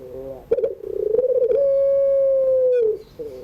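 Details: Barbary dove (puter pelung) cooing in the afternoon, a training sound for young birds learning to sing: a bubbly, wavering start rising into one long, steady, mellow coo held over a second, then sliding down at the end.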